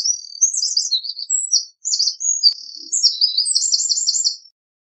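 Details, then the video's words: Eurasian wren (Troglodytes troglodytes) in full song: a loud, rapid, very high-pitched stream of sharp notes and fast rattling trills, briefly pausing near the two-second mark, then racing on almost unbroken; clean background with no other sounds. "Eurasian Wren Bird Song, Call, Chirp, voices, Sound - Chochín Común Canto - Troglodytes Troglodytes"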